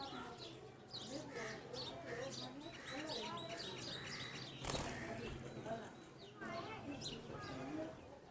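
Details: Red-vented bulbul among chattering birds, giving rapid runs of short sliding chirps and whistled notes, one loud broadband burst midway, low background hum throughout.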